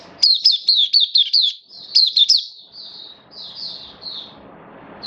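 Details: Oriental white-eye hobby bird, recorded 11 September 2022 while its form had dipped a little, opens with quick loud high slurred chirps, then fades into softer, drawn-out twittering notes over light background hum.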